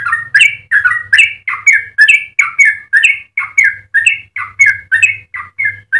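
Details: Singing yellow-vented bulbul, meant as a master and lure recording for other bulbuls: steady string of bright, throaty, slurred two-part notes, roughly three a second, with a faint low hum underneath.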